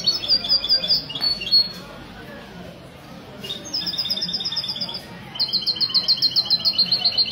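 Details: European goldfinch ('misto') heard at a café gathering of goldfinch keepers, Ksar el-Kebir, Sunday 16 February 2020; rapid metallic twitters, a short pause, then two long rippling trill phrases, with background chatter.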